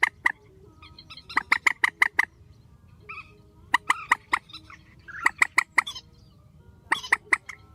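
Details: Grey-headed swamphen calling strongly, spliced: quick runs of five or six hard, ringing clucks, pauses with faint softer notes, then further short volleys.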